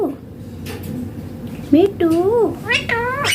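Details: Talking Indian green ringneck parrot gives a quiet opening, then arched, nasal speech-like syllables, each rising and falling in pitch, several in quick succession, ending in a higher squeaky note.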